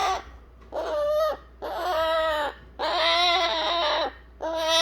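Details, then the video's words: Young eclectus parrot chick fussing to be picked up after its feed, giving long, nasal, harmonic whining calls of one to one and a half seconds each, separated by brief pauses. "안아달라고 보채는 뉴기니아앵무새 애기 소리 들어보셨나요?"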